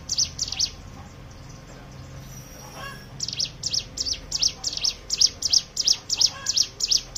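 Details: A short high chirp series, a pause of about two seconds, then a long run of evenly spaced shrill notes from a Hill prinia, played as a lure to make other birds sing.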